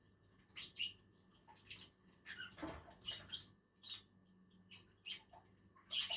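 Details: Two lovebirds eating on a tree make shrill, scratchy chirps at irregular intervals, with one broader rustling burst in the middle and a steady low hum.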